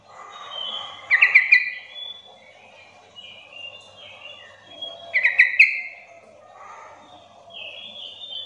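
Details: Lure call of a sooty-headed bulbul meant to prompt other bulbuls to reply: two bright bubbly phrases about four seconds apart, each a quick run of liquid notes, with thin whistles of other birds between.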